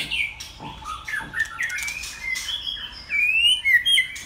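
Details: Captive male white-rumped shama kept as a model song bird, singing a varied run of clear whistled notes that slide and rise, building to loud high ringing whistles near the end; quiet room.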